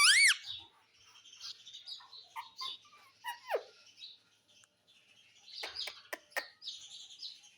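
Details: Pet parrot in a happy mood gives one loud, harmonic, arching squawk. Soft chattering, scattered clicks and short sharp chirps follow over the next seven seconds.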